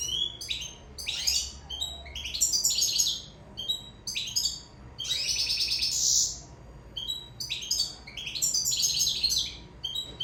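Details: In-love Sicilian European goldfinch singing phrases about every three seconds, each a burst of tinkling chirps swelling into a buzzy trill, separated by short pauses; faint low hum.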